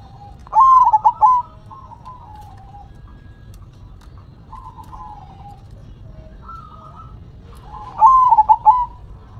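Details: Zebra dove (perkutut) singing its manggung song: two loud bursts of rapid staccato cooing notes near the start and end, with softer distant cooing from other doves between them.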